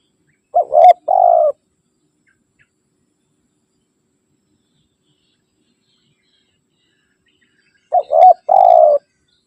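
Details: Spotted dove calling to rivals, used to lure wild birds and train caged ones: two brief cooing phrases about seven seconds apart, each of clipped notes and a low rolling coo, with silence between.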